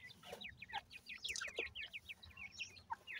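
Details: Baby francolins with family: many quick, high downward-sliding cheeps tumbling over one another in a steady, busy stream, against a faint low hum.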